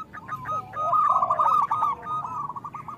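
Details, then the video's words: Local zebra doves in rapid, overlapping song, used to coax lazy doves into singing. Trilled, rolling cooing phrases at mid pitch run almost without pause, several birds layered over each other, with faint softer cooing underneath. "Suara Besar Panggilan Perkutut Agar Bunyi"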